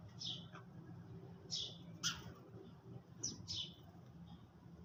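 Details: Sparrows chirping while eating their food in the early morning: short, bright chirps, single and in pairs, sounding at uneven intervals over a low steady rumble.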